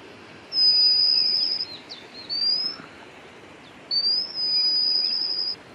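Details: At Chakki Waterfalls, a White-capped redstart (Phoenicurus leucocephalus) gives long, thin, high, level whistles, each about a second long, over a steady rushing background.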